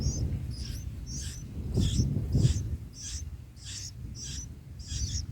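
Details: Bulbul nestlings on day 4, being fed by the parent in the nest, give thin, high chirps about twice a second, steady and insistent, over a low rumble of wind or handling noise.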